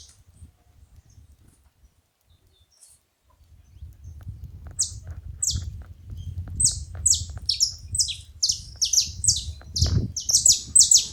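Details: Saffron finch, called canário-da-terra, calling noisily: after about four seconds of low rumble, a run of sharp high descending chirps starts and speeds up, some in quick doublets, over steady low background noise.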